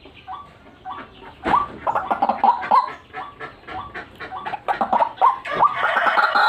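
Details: White-breasted waterhen lure calling in gacoran style: soft upslurred notes leading into fast, loud repeated croaks and chatter, ending with a louder harsh rasp.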